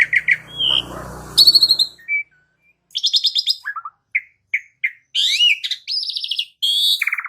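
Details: Asian pied starling (jalak uren) in training song: chirps over a low hum, a loud buzzy phrase, then scattered whistled notes and dense harsh, rattling chatter toward the end.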